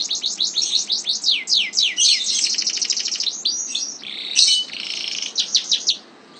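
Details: Canary delivering a long rolled song of fast descending sweeps and buzzy trills, with a brief loud note midway, fading at the end.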